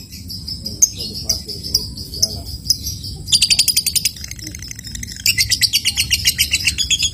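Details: Lovebird moving from ngetik, a spaced ticking, into ngekek, a long chatter used to set other lovebirds chattering; thin high ticks at first, then two runs of fast, loud buzzy pulses.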